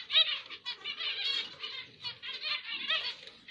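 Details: Zebra finch song, dense and chattering, made of quick buzzy syllables and harsh nasal notes strung together without pause, staying high in pitch, with a few faint low rustles beneath.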